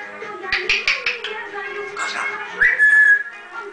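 A parrot whistles a tuneful phrase, with a few sharp clicks, ending on a long, bright held note.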